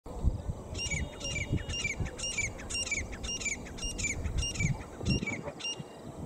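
A grey francolin gives about ten loud, shrill, ringing notes, each dropping at the end, roughly two per second, over a low rumble of wind.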